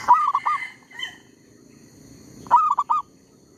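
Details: Decoy zebra dove calling to attract wild birds for trapping while a tree squirrel disturbs it: two bursts of rapid staccato coos, four notes each, about two and a half seconds apart, over a soft background murmur.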